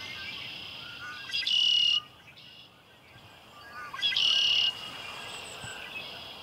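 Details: A red-winged blackbird at Humboldt Park gives two harsh, buzzy trills about two and a half seconds apart, each just over half a second long, over a soft outdoor hiss.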